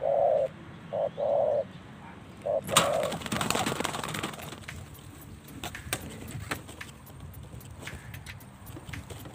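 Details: A spotted dove brought out to practise calling as the cool season begins gives four soft, low, hollow coos over about three seconds, followed by clattering and rustling.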